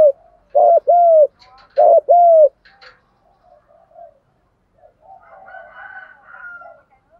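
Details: Spotted dove cooing as a lure to provoke rival males: two pairs of loud arched coos in the first few seconds, then fainter distant coos and other birds' drawn-out notes.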